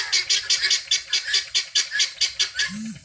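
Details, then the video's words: Free-range helmeted guineafowl in search of food utter a clear series of harsh, grating notes, roughly three per second, followed by a short low tonal moan at the close. "GUNea Fowl Saund and searching feed free range"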